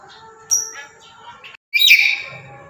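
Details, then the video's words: Tame pet black-capped lory calling loudly: a sharp high screech near the start, then after a brief gap a louder harsh, buzzy squawk with a rising-falling shape, over faint background hum. "Lantangnya suara burung Nuri kepala Hitam"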